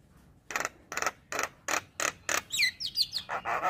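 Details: Male Javan myna song meant to set other mynas singing. A short quiet start gives way to six harsh rasping notes at steady intervals, then quick whistled slurs and more grating notes.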